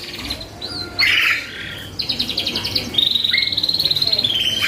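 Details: Canary used as a lure to trigger other birds' response: a harsh burst, then a buzzy trill and a long evenly pulsed whistled trill held near one pitch.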